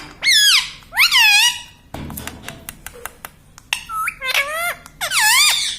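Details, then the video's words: Green pet parrot that says "mummy" and "papa" repeats loud, arched, two-part vocal syllables in pairs, with a run of soft clicks between them, indoors. "mummy bolta mithu ||papa bolne vala parrot || parrot talking"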